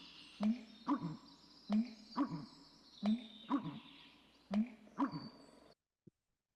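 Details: American Bittern pumping call, a bird known on the Prairies as the slough pumper, whose call carries well over a kilometer: deep, hollow gulping phrases repeated about every 1.3 seconds, five times, each with a sharp click at its start.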